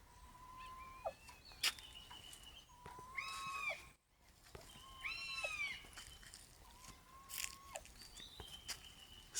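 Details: Changeable (crested) hawk-eagle hunting call: shrill whistles, a level note breaking into rising, sharply upslurred screams, repeated every couple of seconds, with sharp chirps of other birds mixed in.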